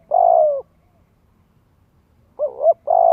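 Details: Spotted dove lure cooing for teaching young birds to coo: a long descending coo, a pause of nearly two seconds, then a wavering double note and another long coo.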